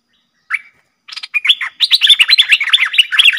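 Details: Streak-eared bulbul pair in a heated song duel, recorded 30 October 2021: one short clear note, a pause, then a building stream of fast, jumbled chirps and warbles that grows louder to the end.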